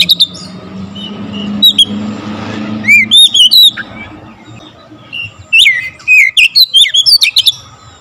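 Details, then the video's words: Energetic Oriental magpie-robin song, bursts fired close together with full variation of fill-ins: scattered whistles early over low rumbling background noise, then dense runs of loud slurred and chipping notes. "Kacer gacor nembak rapat full variasi isian"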